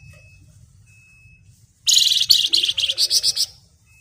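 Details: Flamboyan bird in chatty 'ngebren' song, rapid and shrill: after nearly two quiet seconds, a loud stream of high, grating, fast-pulsed notes runs for about a second and a half, breaking into quick separate chirps at the end.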